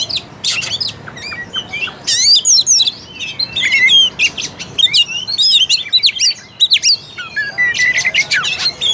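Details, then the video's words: Oriental magpie-robin singing energetically, used to rouse a lazy, low-fight bird: loud scratchy bursts alternating with varied whistled slurs and rapid chirps over nine seconds. "PANCINGAN AMPUH UNTUK KACER MALAS BUNYI DAN KURANG FIGHTER."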